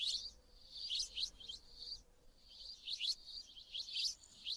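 Sparrows give bright, high chirps in quick bursts, with a lull between two busy spells and a thin steady whistle-like note underneath.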